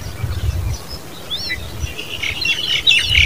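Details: Common babbler young giving squeaky, buzzy high chirps that build into a dense, rapid chattering cluster near the end, over low rumbling background noise.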